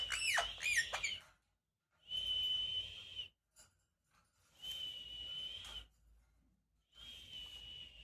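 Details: Talking Rose-ringed parakeet kept as a pet: a flurry of harsh sweeping squawks, then long steady whistled notes held about a second each, repeated every two to three seconds with silences between.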